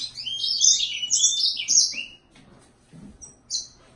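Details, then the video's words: Yellow-fronted canary in a two-second run of dense, high, twittering notes ending in a falling whistle, followed by a few brief thin chirps; low background hum. "Serinus mozambicus-Green singer"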